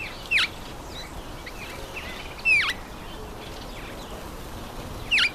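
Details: Red-faced mousebird at a birdbath giving three clear, sharply descending whistles spaced about two seconds apart, with a faint background hiss between calls.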